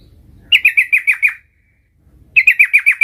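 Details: A young sooty-headed bulbul practises the rolling song called ngerol. Two bursts of about six rapid, bright, slightly falling chirps, evenly spaced, are separated by a second of silence. Faint low rumble sounds between the phrases.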